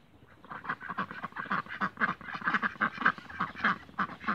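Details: Backyard Cayuga ducks calling steadily, a run of loud harsh quacks repeated almost twice a second throughout, several birds overlapping.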